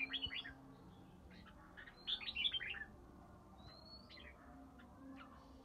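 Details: Red-whiskered bulbul from Ba Tơ, three seasons old, singing its ché-style song in early spring: two short bright warbled phrases of slurred whistles, then a thin rising whistle, over a low steady hum.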